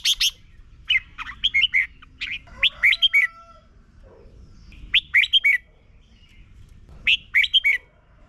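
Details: Caged Red-whiskered bulbul in Thailand singing a doubled song used to teach young birds: quick clusters of four or five warbled, slurred whistles repeated about every two seconds, with brief quiet gaps and faint background hum.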